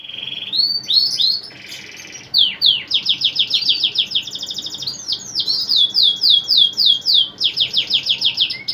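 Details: Male canary, a caged bird singing persistently, with other canaries said to answer: fast high trills and rapid repeated sweeping notes in bursts, some buzzy rattles, delivered in long continuous runs.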